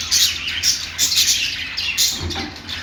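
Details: Budgerigar singing in quick bursts of high chattering warble, scratchy and buzzy, with clear pauses between phrases and a short lower grating note near the end; low hum in the background.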